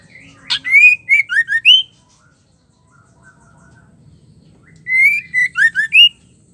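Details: Female white-rumped shama calling to rile up rival males; a sharp click precedes a burst of loud stepped whistles, then a quiet stretch and a second matching burst of rising notes.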